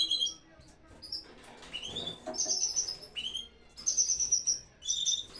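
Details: Canaries in a home aviary at the height of breeding season: short bursts of high, bright chirps and whistled notes from several birds, broken by brief pauses, with faint low background rumble.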